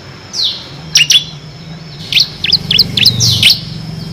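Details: Bar-winged prinia of the kristal type singing in the ngebren style, used to train competition birds: scattered sharp high chirps, then a quick run of downward-slurred notes near the end, over a low hum.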